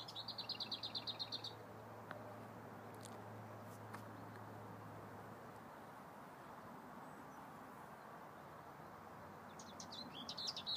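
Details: Lesser whitethroat singing at Woodoaks Farm: a dry, rapid one-pitched rattle for about a second and a half at the start, then a long stretch of steady rural background rumble and low hum before the rattle returns at the end.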